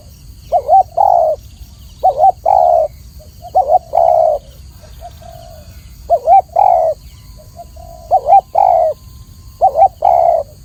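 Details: Spotted dove, locally called tekukur, in a clear-voiced song recording used for training birds: five phrases, each a quick wavy coo followed by a held mellow coo, with irregular pauses and a faint high electrical hum.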